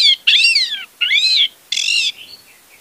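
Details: Orange-headed thrush lure for a silent bird: a series of harsh, raspy, slurred notes with rich overtones, arching up and down, repeated about every half second, and faint soft notes fading after them.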